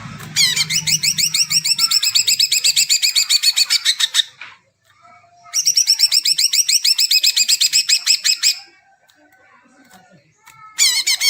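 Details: Song of a greater green leafbird meant to stimulate birds not yet singing: two long bouts of quick, evenly repeated high notes separated by a pause, then a third burst starting, with faint hum early on.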